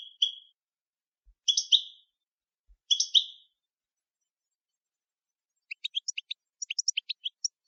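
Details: European goldfinch with three clear doubled chirps spaced about 1.5 seconds apart, then after a pause a quick, scattered twittering run of tiny high notes; a couple of faint soft knocks.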